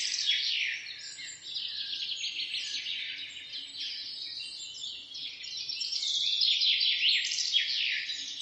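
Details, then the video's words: Morning birdsong in the middle of a forest by a road, with many birds overlapping in a steady, high, busy chorus of rapid chirps, twitters and trills that runs without a break. "begin your day with the positive energy birds singing"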